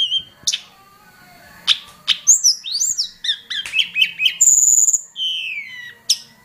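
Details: Lure recording of a hill prinia for training other birds: sharp high chips, slurred whistles and fast repeated notes building to a long piercing whistle, then a falling slurred note and a final chip.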